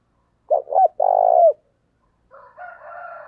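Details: Spotted dove calling as a lure to excite wild birds: two clipped notes, then a sustained, vibrating coo that falls at the end. A quieter, rough, multi-toned call follows after a short silence.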